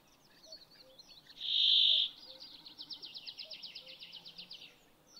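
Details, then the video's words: A Common snipe drumming in the Swedish Lapland mountains at Ammarnäs in late May, a territorial display made by vibrating outer tail feathers in a fast dive: a throbbing, wavering bleat pulsing about ten times a second, after a steady high note from another bird. "When the bird dives at great speed the outer tail feathers start to vibrate, producing this sound."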